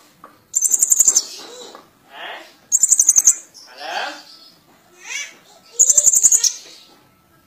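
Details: Three rapid, high, buzzy trills from a Van Hasselt's sunbird singing actively with mimicry, spaced a few seconds apart, with soft lower warbled phrases between them.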